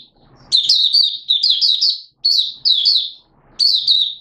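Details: Malaysian white-eye, a hobby bird, singing in Singapore on 29 March 2023 in warm, humid weather with sudden showers. Rapid, high, sweet warbled phrases come in four bursts with brief silent gaps between them.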